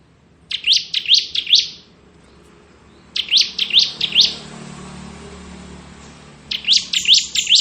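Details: Ngebren singing by a crystal ciblek bar-winged prinia: three phrases of four or more rapid upswept chirps with pauses between, sharp and high.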